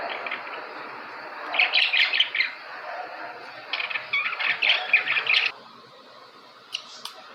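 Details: Budgerigars chattering in two bursts of quick squeaky, scratchy notes, each lasting about a second, separated by quieter pauses, with a faint chirp near the end.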